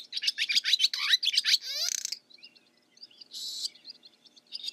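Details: Barn swallow's fast, scratchy twittering followed by a rapid descending rattle, then softer scattered chips and one short loud buzzy burst.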